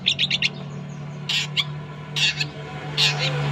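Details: Long-tailed shrike sounds used to train other birds to sing: four quick raspy chirps, then three separate broad harsh bursts spaced about a second apart, with a constant low hum beneath.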